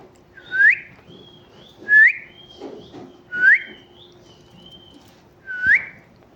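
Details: A talking parrot repeats a bright rising whistle about every one and a half seconds, four times, with faint higher tonal notes trailing between them.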